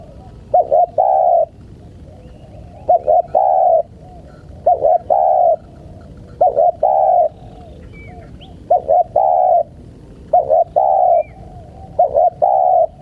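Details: Spotted dove calling to attract wild birds, repeating a soft three-part coo of two short notes and one longer note roughly every two seconds. Faint higher chirps from other birds sound in the background.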